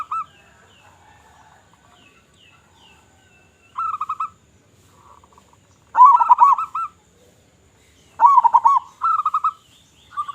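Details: Zebra dove song in a lure recording of a loud-voiced local bird: scattered soft coos, then separate phrases of deep, rolling, bubbling coos, each about a second long, with short silences between them, growing louder toward the end.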